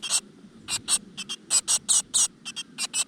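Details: Nestling great tits in a crevice nest, fed insects by their mother: a quick series of rasping, hissy notes, mostly paired and evenly spaced.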